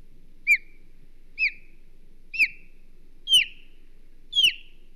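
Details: Wild osprey at the Hog Island nest, 22 May 2023, defending the nest: five loud, whistled, sharply downslurred calls, about one per second and growing slightly harsher, with faint low background sounds.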